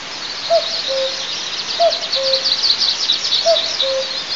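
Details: Cuckoo heard at an eagle nest camera at Altynychi, southeast Tatarstan, 9 May 2024, giving three falling two-note cu-coo calls about 1.5 seconds apart beneath busy high-pitched songbird chatter.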